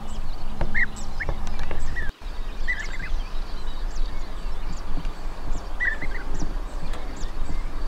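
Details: European bee-eater (Merops apiaster) in Portugal giving short, rolling, liquid calls over a steady low rumble.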